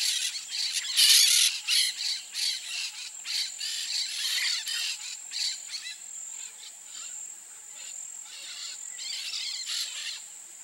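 A pair of peach-fronted parakeets give harsh, grating screeches in quick bursts, loudest in the first few seconds, over a steady high insect drone.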